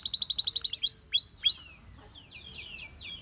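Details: Rapid high whistled notes from a Gloster canary give way to three bright upswept whistles, then softer falling calls at the end.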